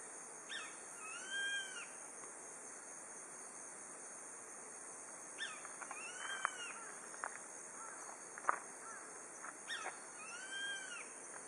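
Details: Grey-faced buzzard, the first heard this autumn, calling at dusk from a mountain pass at Nishiamuro, Kakeroma Island, Amami Ōshima: three clear two-part calls, a short sharp note then an arched, slurred whistle, about every four seconds over steady insect hiss.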